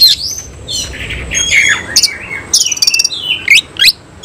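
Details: Oriental magpie-robin, semi cililin type, in ngobra tail-spread display and singing in nembak bursts. Bright whistled slurs lead into a rapid rattling trill and then sharp upward whistles.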